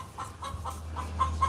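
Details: A chicken next door that had just shown up, making all sorts of noises: a rapid run of short clucks, about four per second, over a steady low hum.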